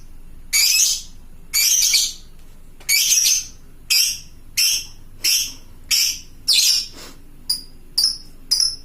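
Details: Fighter lovebird calling to other lovebirds with a long ngekek chatter: loud harsh high screeches repeated in a series, the later ones shorter and clipped, about one every second, on a quiet background.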